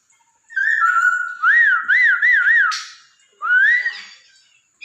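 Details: Chinese hwamei (poksay Hongkong) song played to stimulate a pet bird into singing: clear whistled phrases with a short steady note, then a run of four looping rise-and-fall whistles, a pause, and one more rising whistle.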